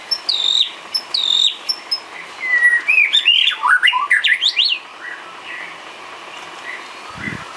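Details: White-rumped shama, a cage bird, singing filler song used for training: rich varied phrases of high whistles and sharp upward and downward slurs, bursting rapidly in a dense run before tapering to softer notes; a low thump near the end.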